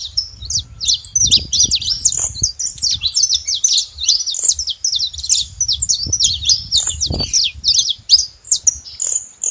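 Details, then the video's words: Saffron finch calling noisily, a steady stream of high, sharp chirps and short slurred notes throughout, over a low rumbling background with occasional knocks. "Canário da terra fazendo barulho"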